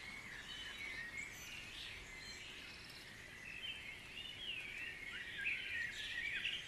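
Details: Dense early-morning birdsong at Guisborough: overlapping chirps, sweeping whistles and trills from numerous singers, growing slightly fuller toward the close.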